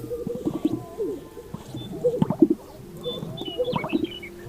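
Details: Greater Sage-Grouse males displaying at a lek before sunrise in the first light, threatening and fighting over small territories on the dance floor; low hollow bubbling pops and coos in clusters, with thin higher chirps above.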